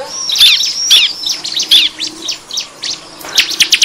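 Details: Bar-winged prinia calls used as a lure for wild birds: buzzy high chips with thin whistles, becoming softer scratchy notes, ending in quick sharp ticks.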